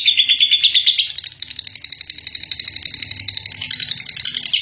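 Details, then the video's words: Lovebird, first-place contest winner, in its ngekek long chattering song: loud, high pulsed chatter that drops in volume after one second, then rebuilds as a steady stream of rapid pulses, with a low background rumble. "Love Bird Juara 1 ngekek 3 menit"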